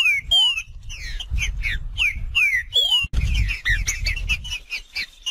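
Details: Green-winged saltator singing in the wild in the style called macheando: loud slurred whistles sweeping down and rising, quick chirps and sharp notes in rapid series, with a low rumbling background throughout.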